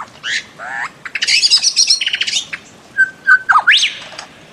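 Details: A bird-of-paradise gives harsh nasal squawks and a burst of rapid raspy notes, followed by a few clear whistled tones and a quick upward-sliding whistle.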